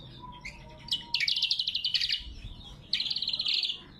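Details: Lesser green leafbird, recorded for luring and training birds, sings a few soft notes and then two bursts of fast, loud, high trilled chatter with a short gap between them.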